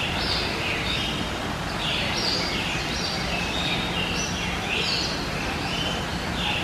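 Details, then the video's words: Hahn's macaw, a subspecies of red-shouldered macaw, calling out with harsh, grating screeches in quick succession, several every couple of seconds, over a steady background hiss and low hum. "Hahn's Macaw Call"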